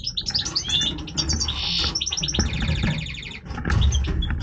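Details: Major goldfinch in breeding voice, singing a rapid, jangling twitter of high notes broken by a dense buzzy trill, then a run of quick rattling notes, over a steady low hum.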